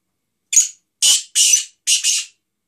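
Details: Black francolin giving a harsh, grating call phrase of four rasping bursts, the last one split into two joined notes, over about two seconds with silence around it.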